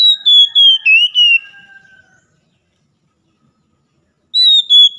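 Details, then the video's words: Morning song of an Oriental magpie-robin, played to restart a caged bird that has gone quiet: a string of bright, falling whistled notes for two seconds, a long silence, then a fresh whistled phrase at the end. "KICAUAN PAGI AMPUH MEMULIHKAN KACER MACET BUNYI LANGSUNG GACOR"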